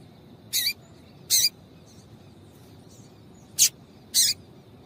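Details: A female double-collared seedeater calling to excite a male, giving four short, sharp high chirps spaced irregularly about one second apart against a low steady hiss.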